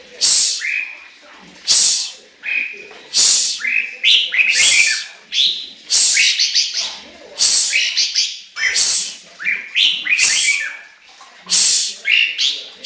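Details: Chinese hwamei in full song: short whistled slurs interleaved with harsh, high-pitched rasping bursts, coming in a fast, uneven stream with hardly any pauses.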